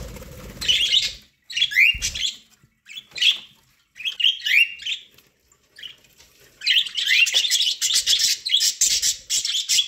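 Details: Several pet budgerigars chatter while eating corn, with warbling, rising chirps in irregular bursts that build into a dense run of rapid high twittering near the end.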